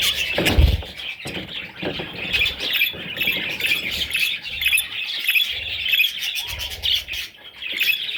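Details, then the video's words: Young parrot chicks give raspy squawks and high chatter, one loud thump near the start, then overlapping scratchy calls that rise and fall in short bursts. "Baby Parrots – Sweet Little Chicks!"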